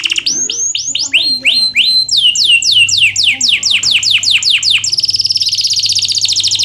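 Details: Gacor canary singing, used as a tutor for lazy canaries that rarely sing: a run of rising-then-falling whistled sweeps, each note slurred downward, ending in a fast buzzy high trill; a faint low hum underneath.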